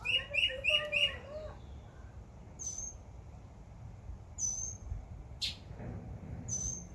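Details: Backyard summer birdsong: a quick burst of chirps with a lower warbling note at the start, then thin high whistled notes repeated every two seconds.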